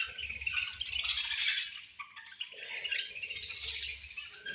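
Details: Budgerigars at feeding time, a dense, continuous chatter of high, scratchy chirps and warbles from several birds, rising and falling in bursts, with faint low knocks underneath.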